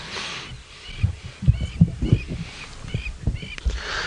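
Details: Crowned lapwings fly over at sunrise at Djuma Game Reserve on 12 June 2017. They give shrill, scratchy, high calls, about one every second or less, over heavy low thumps and rumbling.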